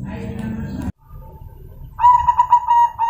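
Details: A crossbred zebra dove (perkutut crossing), offspring of a colour-mutation (silver or white) zebra dove but of normal colouring, gives a brief run of soft, mid-pitched cooing notes in quick pulses, after a man speaking.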